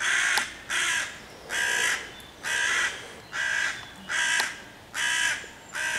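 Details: A hooded crow mobbing five young raccoons hidden in leafy tree cover beside their hollow, 11 June 2023, cawing to drive them off and rally other crows. Eight loud, hoarse caws in a steady, almost unbroken series.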